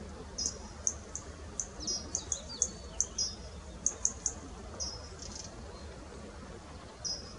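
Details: Lesser grey shrike at Mount Batten Point, Devon, about 10 ft away, giving short, very high, thin chirps, singly or in quick pairs, at uneven intervals of about half a second over a faint background hiss.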